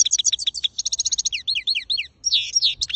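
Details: Continuous fast goldfinch song: tinkling, liquid twitters run into rapid trilled phrases, then slurred, downward-sweeping notes and a buzzy, wheezy flourish, with no other sounds.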